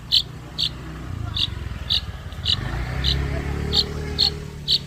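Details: Blangkon long-tailed shrike basking at midday utters short clipped harsh chips at irregular intervals over a constant low mechanical hum.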